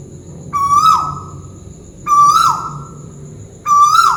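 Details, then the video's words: Malaysian tuwu bird calling from above: three loud whistled notes with rich harmonics, each flat then lifting and falling away abruptly, repeated about every one and a half seconds against quiet low background noise. "Burung tuwu malaisia lagi bunyi diatas"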